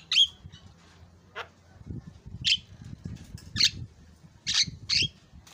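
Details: Javan myna calling in response to a lure sound: a sequence of short, harsh, raspy squawks spaced irregularly about a second apart, with a low hum in the background.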